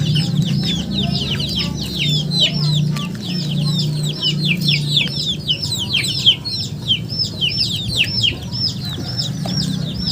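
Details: Chickens in a dense chorus of high, downward-slurred peeps, many birds calling over one another almost without pause, above a steady low hum.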